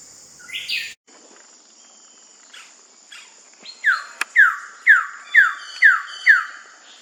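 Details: Wilson's bird-of-paradise in West Papua, late July to mid August 2026: a few scattered notes, then six loud, sharply downslurred calls about every half second, over a steady high insect drone.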